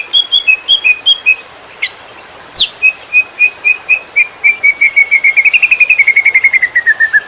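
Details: Song of a greater green leafbird meant for teaching other songbirds: a few high whistled notes, two sharp sweeps, then a long accelerating series of clear repeated notes that quicken into a rapid trill and slowly fall in pitch.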